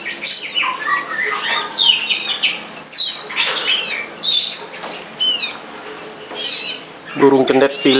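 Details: Long-tailed shrike (cendet pilis) singing in the wild behind a house: rapid chattering phrases of high slurred notes and short squeaky whistles, then a lower harsh burst near the end over a steady high background whine.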